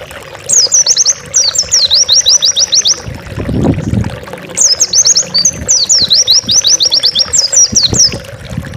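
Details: Energetic song of an Oriental white-eye, kept as master material for tutoring caged birds: two bursts of thin, high, fast-chattering notes separated by a short gap with a low rumble.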